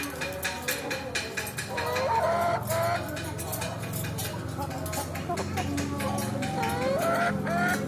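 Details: Chickens crammed into a car for slaughter, producing rapid irregular clucks and rising squawks in a dense chorus, with rattling knocks and a low engine hum.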